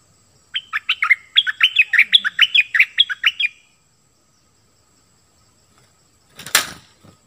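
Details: Bulbul known in Malay as merbah lekir, singing a quick series of sharp whistled notes, each sliding steeply down, repeated over about three seconds; a short clatter follows after a pause.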